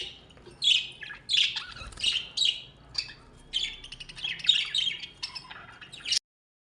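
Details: Budgerigars kept as house birds, giving a run of scratchy, chattering squawks and warbled chirps in quick bursts, with short gaps between phrases before ending abruptly.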